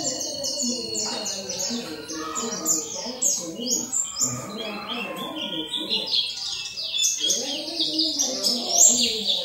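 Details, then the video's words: Continuous rapid, high-pitched twitter of oriental white-eye training song, delivered as tumbling series of short sliding notes that build to a bright burst at the end, over low mixed warbles. "Pleci di jamin ikut gacor ngalas wiksar dengan masteran pleci"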